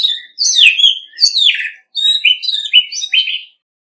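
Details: Orange-headed thrush, Vietnam, singing competitively with no other noise: two long descending, slurred whistled phrases followed by a series of shorter clear warbled notes, all sweet and high-pitched.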